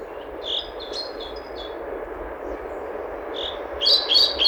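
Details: European pied flycatcher singing: scattered high thin notes early on, then a quick bright phrase of sharp chirps near the end, over a steady low rumbling background.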